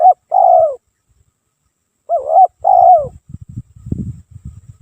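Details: Nonstop lure song of a spotted dove: a loud rolling coo phrase, a pause of about a second and a half, then a rising coo and a long falling note, followed by low clattering thumps.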